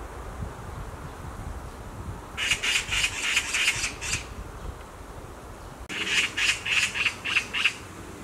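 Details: Perched on a tree branch, a black magpie screams in two separate bursts, each of about seven coarse, grating notes delivered rapidly and evenly, with a short quiet pause between the runs.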